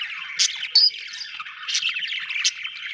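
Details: Budgerigar chatter with steady buzzy warbling and three or four louder, sharp high chirps spaced about a second apart.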